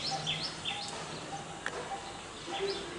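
A coppersmith barbet repeats a hollow, metallic 'tuk' about every half second, while other birds chirp higher and brighter in the background.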